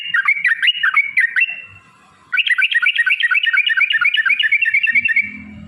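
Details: Yellow-vented bulbul in long rapid 'ropel panjang' song, meant to draw other bulbuls into answering: a brief burst of bubbly notes, a two-second gap, then a dense, fast, unbroken trill of chirps.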